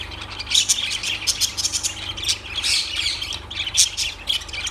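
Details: Lovebirds chirping and squawking in a dense chorus of high, rapid, scratchy notes with bright tweets, several birds calling over one another throughout, with a low steady hum beneath.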